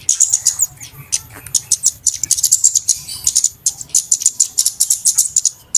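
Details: Flowerpecker calls played to lure birds into traps: continuous, very high-pitched sharp ticking and twittering in quick overlapping bursts, several birds' worth of noisy chatter, with faint low rumble underneath.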